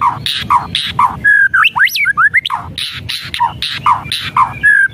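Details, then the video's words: White-rumped shama whistles and rattles meant to provoke a reluctant bird to sing: rapid harsh chattering notes repeated about four per second, broken by loud swooping whistles rising and falling in the middle. "SIULAN DAN KRETEKAN MURAI BATU | pancingan murai batu malas bunyi"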